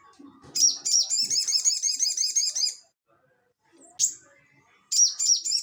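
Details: Crested jay singing in the ngeleper style, used as lure audio for cage birds: soft chips lead into a two-second, high, chattering rattle, followed by a lone sharp chip and a fresh burst of rattling.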